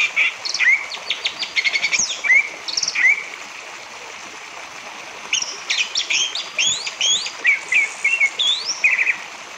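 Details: Orange-headed thrush singing to draw song from other birds: rapid chattering bursts mixed with clear upslurred whistles, a quieter gap midway, then a dense varied sequence of sliding notes over continuous hiss.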